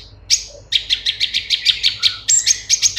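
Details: Cucak cungkok bulbul singing a fast string of bright chirpy notes, about six or seven a second, ending with higher sustained whistled phrases; no other sounds.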